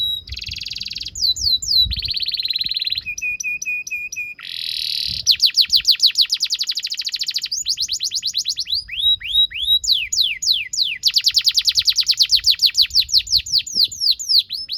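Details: Long canary song used as a master recording for juvenile canaries: varied tours of buzzy rolls, steady repeated notes and bursts of fast descending whistled sweeps repeated several times a second, with faint low knocks early on.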